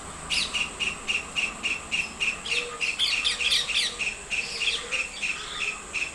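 White-throated kingfisher repeating a sharp, high whistled note about three times a second in a long even series, while other small birds twitter behind it.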